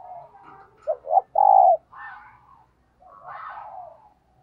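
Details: Decoy spotted dove in thúc gù style: two quick low notes lead into one long, full coo, then softer burry coos and a warbling phrase follow.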